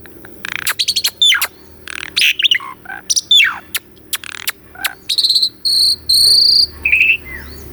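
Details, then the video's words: Varied Asian pied starling song meant as a tutor for a silent caged starling; rapid clicks and falling whistled slides give way to long, steady high whistled notes near the end. "KICAUAN BURUNG JALAK SUREN UNTUK MASTERAN JALAK MACET DENGAN SUARA YANG MERDU INI..!!"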